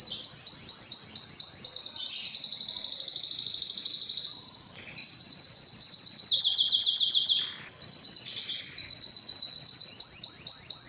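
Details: Belgian canary song meant to attract females for breeding: a string of rapid, high trills and buzzy rolls that change tour every few seconds, broken by two short gaps.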